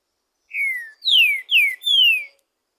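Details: Single song phrase from a wild green-winged saltator: four clear, rich whistles, the first softer, the last three louder, each sliding smoothly downward, within two seconds.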